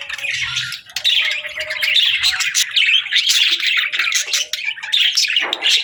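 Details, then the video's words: A flock of budgies at feeding time keeps up an almost unbroken, high, scratchy warble, thick with quick chirps and squeaks overlapping throughout. "Bird Chirping Sounds to Attract Birds | Budgie Birds Feeding Time"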